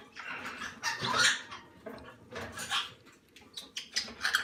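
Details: Young salmon-crested cockatoo chicks during hand-feeding; noisy, grating rasps in broad hissy bursts, rising and falling irregularly, muffled and close, with faint room noise.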